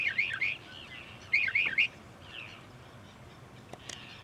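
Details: Northern mockingbird singing from bushes beside a parking lot at Cape May Point, New Jersey, USA: two bursts of quick, high warbled phrases with rapid up-and-down notes, then softer fragments and a couple of sharp clicks.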